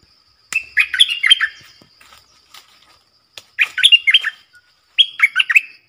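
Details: Four caged bulbuls used as decoys give clustered bursts of bubbling, slurred notes, three phrases a couple of seconds apart. A soft rhythmic ticking sounds in the background.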